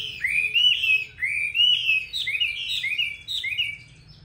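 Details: Vietnamese 'lá vả' Chinese hwamei delivering a flowing run of clear, slurred whistles, each phrase sliding up and down and following the last with barely a break.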